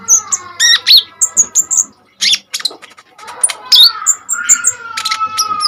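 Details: Vigorously singing common iora, a recording meant for teaching other songbirds. Piercing high whistles, sweeping slurred notes and harsh scratchy bursts alternate, broken by one brief pause.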